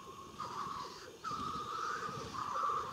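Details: Several black grouse at a spring lek in Klassino, Omsk region, Siberia, 2018: a continuous, bubbling, dove-like cooing that rolls on for seconds, with softer pulsing murmurs underneath.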